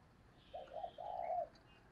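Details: Single low cooing phrase from a decoy spotted dove used to attract wild doves: a short hoot then a long sustained coo, set against steady background noise.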